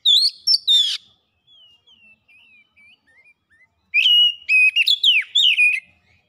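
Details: Oriental magpie-robin singing as a lure meant to make kacer sing and show their borrowed phrases: two loud sharp notes, a stretch of soft, faint whistles, then a strong burst of varied, ringing whistled phrases.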